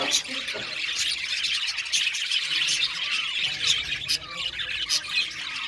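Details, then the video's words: Budgerigar colony in an aviary, Australian parakeets chirping together: dense overlapping chatter of squawks, short chirps and warbling notes running continuously, with brief sharper squeaks standing out. "Budgies parakeets chirping sound | Cute Budgies birds singing sound"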